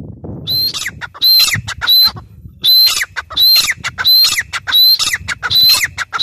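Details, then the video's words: Loud, strident calls of a grey francolin (teetar): shrill squealing notes in tight pairs and triplets, repeated rhythmically after a short quiet start, over low background noise. "gray francolin teetar sound"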